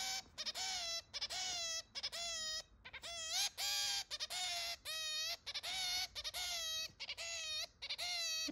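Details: A pet zebra finch, about six months after being brought home, gives nasal, trumpet-like honking calls, each a short buzzy note with a slight dip, repeated in quick bursts over a quiet indoor background.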